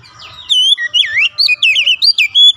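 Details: Oriental magpie-robin (kacer) singing as a lure to set other magpie-robins singing. After a quiet start, a loud run of rich whistled phrases sweeps up and down in looping, warbled notes, with short breaks between them.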